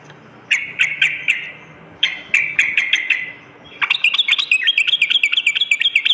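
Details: Sooty-headed bulbul lure song for morning and night use: two bursts of quick chattering notes, a pause, then a faster, higher run of sharp repeated chirps.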